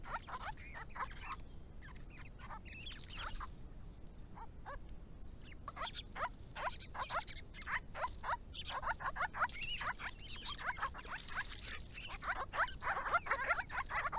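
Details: Grey-crowned babblers, endangered in Victoria, Australia, from a resident family group visiting water in hot weather between January and April, drinking, bathing and calling to each other: busy squeaky chattering notes in quick bursts throughout, growing denser toward the end.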